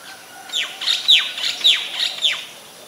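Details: Harsh descending slurred notes from a White-vented myna in Ubon Ratchathani, Thailand, recorded 26 December 2020, repeated roughly every half second for five or six notes, loud and clear against a quiet background.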